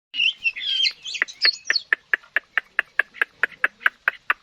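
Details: Wild-caught mature Chinese hwamei, a strong singer without faults, opens with varied quick warbling, then delivers a long series of sharp, evenly spaced notes, about five per second.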